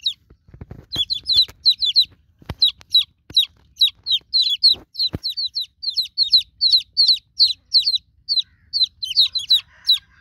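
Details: Newborn chicken chicks calling for their broody mother hen: shrill, high peeps that slide downward, given in a steady stream of roughly two or three per second, with a few sharp knocks and soft low rumbling underneath.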